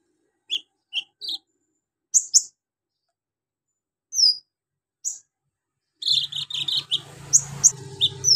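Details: Javan magpie-robin in ngobra style with imitated golden grasshopper, lovebird, cricket and cililin: sparse high chirps at first, then a dense chattering stream of notes over low humming noise.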